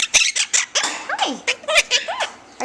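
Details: Two pet Monk parakeets (Quaker parrots) chatter in harsh, scratchy squawks mixed with quick whistled notes, with a person talking nearby.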